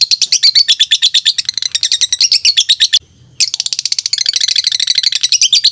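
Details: Lovebird singing: a fast, continuous stream of high, shrill chirps and twittering notes, briefly pausing for a fraction of a second before resuming just as busily.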